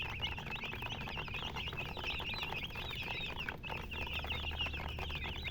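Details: Chicks chirping in a busy group, their high, looping peeps overlapping continuously above a faint low drone.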